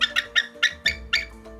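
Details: A captive female bald eagle, unable to fly properly from an old collarbone fracture, at a wildlife center, described as a real talker: a quick series of thin, high, chittering notes over soft background music.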